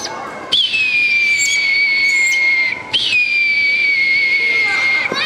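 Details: A captive Red-tailed Hawk at a mall bird show gives two long, high screams, each starting sharply and sliding slowly downward over about two seconds, with faint crowd murmur behind.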